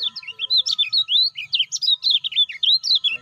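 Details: Lemon-bellied white-eye calling as a training lure for caged birds that are not yet calling. It gives an unbroken run of quick, sharp, high chirps and twitters, roughly four to five notes per second, over a faint steady hum.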